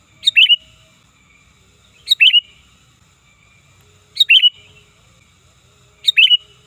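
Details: Sooty-headed bulbul calls used to lure birds: a short, loud bubbly phrase of slurred notes, each repeated roughly every two seconds, four phrases in all, with faint low rumbling between.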